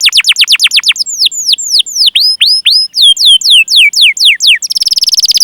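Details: Canary chirping meant to lure canaries into song: quick descending whistles, then slower looping notes that fall and rise, repeated about twice per second, ending in a fast, harsh rolling trill.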